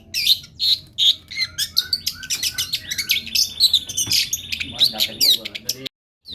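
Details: A long-tailed shrike, singing vigorously for a tutoring recording, gives rapid high chirps and twitters with a brief buzzy trill, then falls abruptly silent for the final half second.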